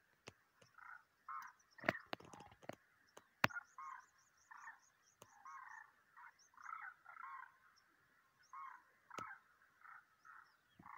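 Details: Demoiselle cranes on migration in March 2023: a long series of gravelly, trilling croaks from several birds, repeated about every second, broken by sharp clicks and a burst of high twitters.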